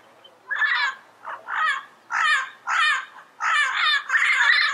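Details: A wild Yellow-headed parrot gives a steady series of loud, grating squawks, roughly one every half second, the final call drawn out and harsher.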